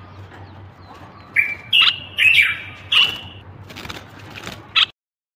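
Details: Common bulbul of Morocco singing sweet, fluty whistles: short, clear phrases broken by pauses, with some dropping and some level, ending with a brief high note.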